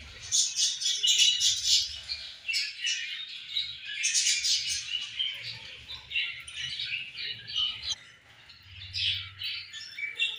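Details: Budgies sharing food and playing, their chirping chatter coming in rapid, scratchy bursts, loudest early on, then fading into a softer lull before picking up again.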